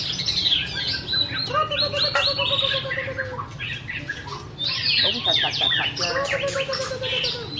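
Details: White-rumped shama pouring out a rich, varied song of quick whistles, rolling trills and chattering bursts, with a short pause midway and a low hum beneath.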